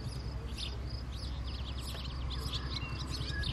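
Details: Female house sparrow bringing food, with house sparrows giving a steady stream of short, bright chirps, several overlapping at once, over a constant low rumble.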